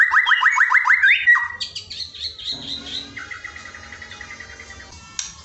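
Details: Filler song for a white-rumped shama that rarely sings: a fast repeated series of downslurred whistles, about four per second, then high sustained notes and a softer steady trill fading out.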